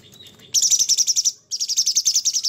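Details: ['Sooty-headed bulbul in energetic harsh-note song (materi kasar): two loud bursts of rapid, shrill, scratchy repeated notes, each about a second long, with a brief silence between them.']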